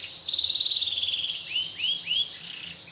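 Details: Canary song with a dense, high rolling trill followed by three swooping, arched whistled notes, then a softer chattering end.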